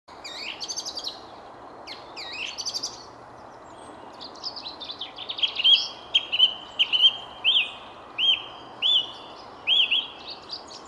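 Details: Song thrush singing in the Jardin du Roi at Versailles on 19 February, around 9:30 on a misty morning broken by sunshine, one among many thrushes; high chattering phrases give way to a clear whistled note repeated about seven times.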